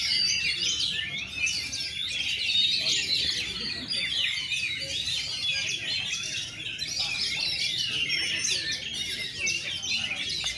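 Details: Kacer bird at its first gantang, caged, pouring out a continuous high chattering and whistling song in tembak and rambatan style, packed tightly with rapid notes for the whole stretch, a steady low background rumble beneath.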